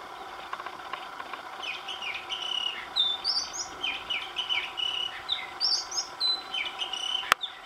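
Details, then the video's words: Oriental magpie-robin in song, from recordings made over several days with a new tune each day; a steady series of sweet whistled notes, about two per second, alternating low slurs with higher pure notes, ending in a sharp click. "Singing Magpie Robin - beautiful call"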